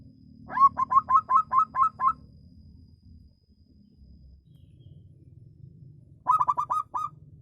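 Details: Local zebra dove with a voice described as special, singing a quick run of about eight clipped cooing notes, then a shorter burst of five. A steady low hum runs underneath.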